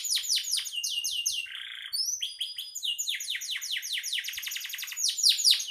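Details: Canary singing vigorously in full song: rapid trills of repeated descending sweeps, a brief lower buzzy roll, then thin rising whistles and fast rolling tours that build louder toward the end.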